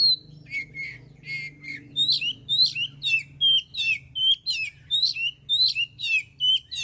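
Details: Oriental magpie-robin delivering continuous song used as a singing lure: a long, fast series of rich whistled and scratchy notes, about two per second, varied up and down slurs, over a constant low hum.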